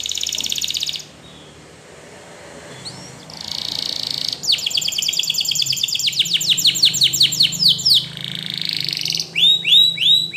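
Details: Spanish Timbrado canary song meant to train other canaries, with a bright rattling trill, a softer pause, rapid clicking notes repeated fast in a long series, and a few curved whistles at the end.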